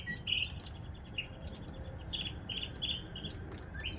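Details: Northern mockingbird after a February rain, giving a loose series of varied high chirps and short buzzy notes at irregular spacing, fairly soft against steady low background noise.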